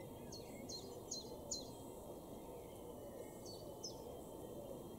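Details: A Common Chiffchaff sings in an April 2022 garden in Weener, East Frisia, northwest Germany: high, clipped down-slurred notes at about two per second, a run of four and then two more, over a steady low rumble.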